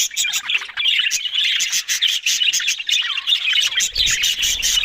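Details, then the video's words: Talking budgerigars, an Australian parrot, in a dense warble of scratchy chirps, clicks and squawky twitters that runs without pause; a faint low rumble joins near the end. "Beautiful Talking Budgies Australian Parrot Sounds"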